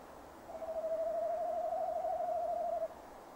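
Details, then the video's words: Male tawny owl calling from beside its nest box at 17:10 in December 2015, picked up by a box cam. One sustained wavering hoot swells in and holds steady for over two seconds before stopping abruptly. "Bosuil M roept"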